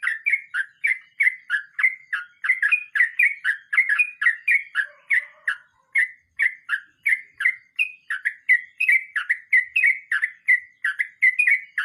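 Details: Sooty-headed bulbul in rolling song style: bright whistled phrases, each about a third of a second, repeated in rapid succession without pause through the whole stretch, steady pitch with slight up-and-down twists, clean and close.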